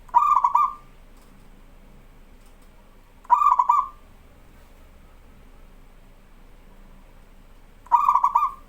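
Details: Zebra dove of local stock singing strongly, used as a master for training perkutut: three stuttering coo phrases at intervals of about three to four and a half seconds, clear against a quiet background.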